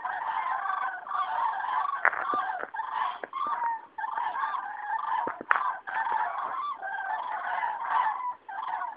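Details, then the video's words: Cranes on spring migration passing over Rochechouart, France, 15 February 2013; a loud, dense chorus of overlapping rolling trumpet calls from many birds fills the whole recording, with a few clicking sounds. "Passage de grues à Rochechouart"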